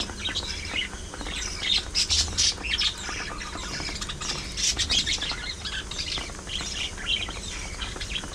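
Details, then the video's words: Budgerigars, pet parakeets shown playing, squabbling, grooming, singing and talking: dense overlapping chirps and squawky warbles, high and scratchy, coming in busy bursts with no steady rhythm, several birds at once. "Budgies Being Budgies: Non-Stop Fun, Fights, Love & Chirpy Chaos!"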